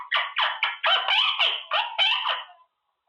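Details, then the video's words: Quaker parrot practising words in its cage: a quick run of about nine harsh, chattering syllables, each with a rising-falling bend, ending abruptly in silence. "Talking parrot, Lago The Quaker"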